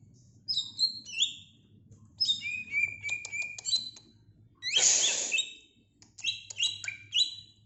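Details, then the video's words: Greater green leafbird kept by the kitchen, singing rapid high whistled phrases of sliding, falling notes mixed with sharp ticks, interrupted midway by a brief loud hissing rasp, over a faint low hum. "Kicau Cucak ijo"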